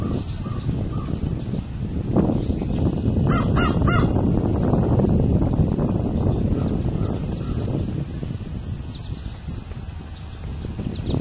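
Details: American crow at the seaside in Charlottetown, Prince Edward Island, 24 June 2016, giving a quick run of harsh caws over steady low rumbling noise, with a few thin higher notes near the end.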